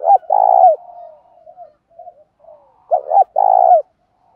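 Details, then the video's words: Spotted dove decoy in the thổ pha voice, calling to incite fighting: a loud burst of coos, soft trailing notes, then a clipped double note and a long rolling coo, all low-pitched and mellow. "Tiếng chim cu gáy mồi thúc đấu, chim cu gáy kích bổi mới hiệu quả, cu mồi giọng thổ pha thúc đấu"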